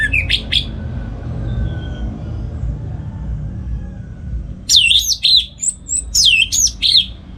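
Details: Orange-headed thrush singing ngeplong in the morning, Singaraja, Bali, as a model for training songbirds. A short whistled fragment, a long quiet gap, then looping up-and-down whistled notes in rapid sequence.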